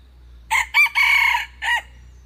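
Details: Crow of a red junglefowl, two quick clipped notes running into a sustained strident phrase, then a short detached final syllable after a pause, over faint steady low background noise.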